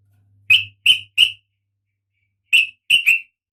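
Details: Female oriental magpie-robin in breeding condition calling the male: six short, sharp, high notes in two groups of three, with the second group after a pause of about a second and a faint low hum under the first notes.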